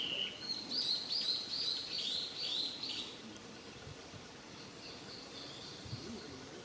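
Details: Japanese paradise flycatcher at Yotsuike Park, Hamamatsu, Japan: a rapid series of about ten short high slurred notes over three seconds, then faint similar notes, amid steady background noise.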